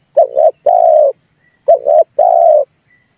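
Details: Two cooing phrases of a red collared dove, used to provoke birds into singing for trapping: a short double note then a sustained low note, repeated once, over a thin steady high hum.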